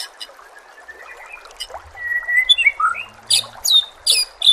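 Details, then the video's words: Shama song for training captive birds, set against rushing water and nature ambience. Soft warbles lead into loud, sharp, high bursting notes repeated quickly, with a faint low hum in the middle. "murai batu anda dengar suara MASTERAN burung seperti ini"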